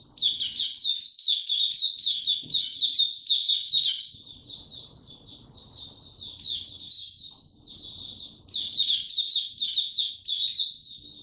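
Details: Caged young white-eye, a Dagger type, Singapore, 9 February 2022, song still maturing: long unbroken stream of high, rapid, slurred warbled notes with sharper bright accents recurring, faint low indoor hum beneath.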